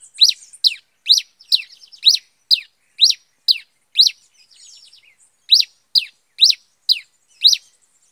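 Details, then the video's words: Pileated finch (cravina, cabeça de fogo) singing in the bush, giving a steady series of sharp high chirps, roughly one per half second, with a brief soft twittering pause midway before the chirps resume. "Cravina (cabeça de fogo)cantando no mato"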